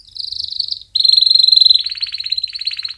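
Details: Canary training song for chicks: a pure, even trill, a brief pause, then a louder, sustained ringing roll that breaks into fast, lower, rattling notes.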